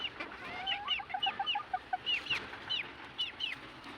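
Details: High, arched chirps repeat about twice a second from kept red junglefowl, over a few lower, short tonal notes, with a faint hiss behind.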